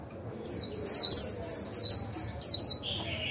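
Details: Decoy Japanese white-eye singing its 'líu' song to stimulate other birds, a run of quick high chirps, each a short falling slur, roughly four per second for two seconds, then a softer lower trailing note.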